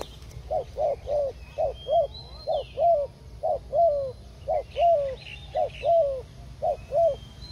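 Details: Forest doves coo for trapping, delivering low paired notes, a short coo and then a longer one, repeated roughly once a second, with faint higher bird chirps in the background.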